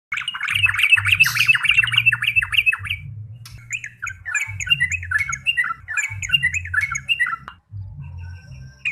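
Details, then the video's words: Yellow-vented bulbul singing energetically: a fast, bubbly run of chattering, warbled notes, a brief pause, then a second babbling phrase of rising and falling slurred notes, over a steady low hum. "burung trucuk gacor"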